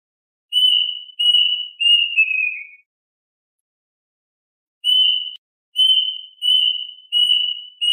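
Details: Plaintive cuckoo calling its flock: a phrase of four clear, drawn-out whistles at an even high pitch, the last sliding lower, then a long pause before the next phrase begins. No other sounds.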